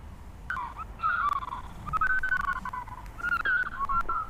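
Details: A male and female African fish eagle duet at a waterhole on 4 August 2025, with overlapping loud, ringing yelps at two pitches in quick bursts for about four seconds, over faint background hiss.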